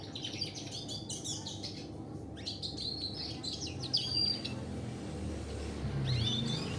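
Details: Canary singing in a local canary mastering session that features red siskin: short bursts of quick high chirps and trills separated by brief gaps, one clear thin whistle midway, with a background hum and low rumbling.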